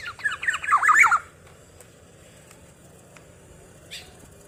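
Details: Black-naped oriole whose song is said to provoke other orioles: a quick, loud run of squawky, warbling notes lasting about a second, then quiet with faint background hiss and one brief distant high note.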